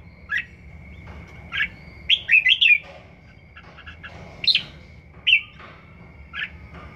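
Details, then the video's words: A Red-whiskered Bulbul about one season old, practising its song a lot, gives short, bright, warbled phrases, about six bursts in seven seconds, over a faint steady high-pitched whine. "Chào mào hót siêu hay"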